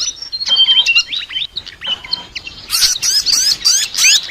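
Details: Sikatan flycatcher chatter: at first sparse high chirps and a couple of drawn-out flat whistles, then a loud, dense burst of rapid rising notes in the final second and a half.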